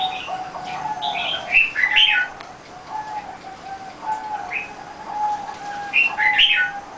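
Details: Zebra dove cooing in a steady, low, rolling series of short notes that run almost unbroken through the clip, with sharp high chirps from other birds breaking in repeatedly over it.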